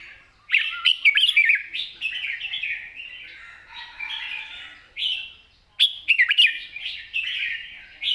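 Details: Red-whiskered bulbul singing a long song with rik notes in wild-style phrasing: lively jumbled whistled warbles in two main bursts, broken by a brief pause, with a clean quiet background.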